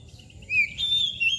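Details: Oriental magpie-robin (kacer), called kacer mbagong, kacer balon or koci nangkur: short, loud, clear whistles, one dipping then a long level whistled note, over a low background hum.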